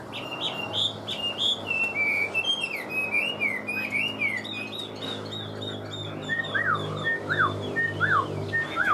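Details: Chinese hwamei, a large kept songbird said to sing well, gives varied whistled song of quick loops and trills, later switching to repeated clear downward-slurred whistles about once per second, with steady low hum behind.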